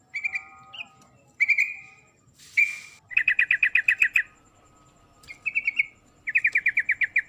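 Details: Sooty-headed bulbul female calling to the male, a series of bright chattering bursts: quick rapid-fire trills and short rising notes, in groups of about five to ten pulses separated by brief pauses.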